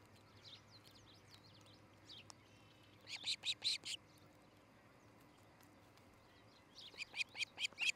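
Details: Nest-camera recording of an osprey pair at Charlo, Montana, early morning, July 2018: faint scattered chirps, then a burst of five loud piercing whistled notes, a quiet gap, and another rapid burst of high chirps at the end.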